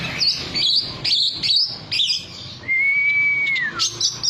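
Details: Oriental magpie-robin singing to stir a caged bird to respond: quick bright chattering phrases, then a single sustained level whistle that slides downward at its end.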